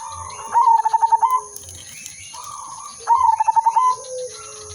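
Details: Zebra dove of the silver udanmas line, singing as a lure for catching doves: twin bursts of rapid pulsed cooing about two and a half seconds apart with fainter coos between them, backed by a continuous shrill electronic tone and low rhythmic thumping.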